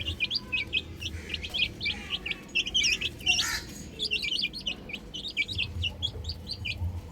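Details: Baby chickens on a roof give rapid, high, rising peeps in dense runs, several birds calling over one another, with a faint low hum beneath.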